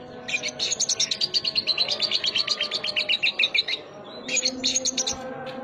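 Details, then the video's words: Lovebird song in the 'sogon isian' style: a long rapid rattle of shrill, scratchy chirps repeated several times a second for about three seconds, a brief pause, then another short burst; low hum underneath. "Sogon Isian Lovebird"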